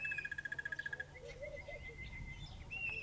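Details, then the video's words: A crested barbet at Lower Sabie Rest Camp, Kruger National Park, gives a fast, even trill of about fifteen pulses a second for one second, then a long, thin, steady whistle with soft chirps behind. "Crested Barbet call / sound"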